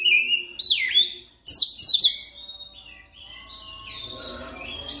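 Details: Training lure song of the oriental magpie-robin (kacer) to prompt fast continuous singing: loud swept whistles and chattering notes over the first two seconds, then fainter warbling phrases.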